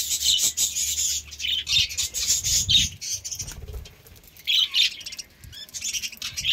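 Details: Pet budgies given summer green leaves to keep cool: bursts of high, scratchy chirping and chattering from several birds, with rustling of leaves and wing flutters between.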